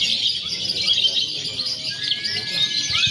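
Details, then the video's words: Lovebirds chattering in a free-action contest simulation featuring konslet, fighter and paud styles, used for pre-competition training; steady high-pitched twittering, with a pair of long whistled glides near the end. "SIMULASI LOMBA LOVEBIRD BEBAS AKSI (KONSLET, FIHGTER, PAUD)"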